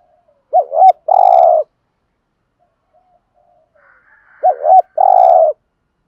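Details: Decoy spotted dove in the 'thúc gù' coo, 'giọng thổ' voice: two phrases about four seconds apart of double looped hoots then a sustained low coo, with a faint higher whistle and light clicks in the background.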